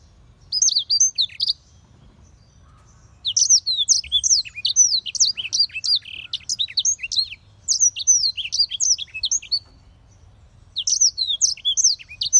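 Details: Black-throated canary (Crithagra atrogularis) song: bright, rapid phrases of high twittering and slurred whistles in four bursts of one to three seconds, with short pauses between.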